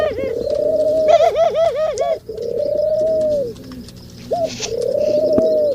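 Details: Mating male pigeons give loud, rolling coos, with a run of quick bouncing notes in the middle and long sustained coos before and after, several birds overlapping at times.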